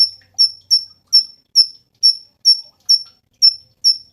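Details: Cungkok giving a long, steady series of high, sharp chip notes, roughly two per second, with nothing else audible.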